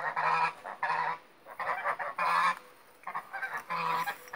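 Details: Domestic Pomeranian Saddleback geese, parents of a first clutch of five goslings, brought out for sun while the goose bathes; a series of strong, brassy honks about every half second to second, in short paired bursts separated by quiet pauses.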